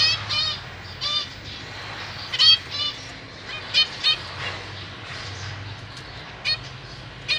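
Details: Caged zebra finch family, two adults feeding three juvenile and three newborn young, 31 March 2023; sharp nasal honking calls, often in quick pairs or triplets, scattered irregularly through a quiet background.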